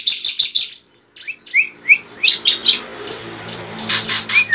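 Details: Bar-winged prinia fighting song meant to prompt a captive bird into song: a few quick sharp chips, then scattered short upslurred notes and buzzy bursts over a faint background hiss.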